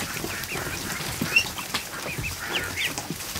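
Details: Freshly hatched ducklings, more than a hundred, in a barn kiddie pool on an afternoon, producing clear high peeps, several sharp upward-sweeping cheeps standing out over a murmuring chorus and faint water noise.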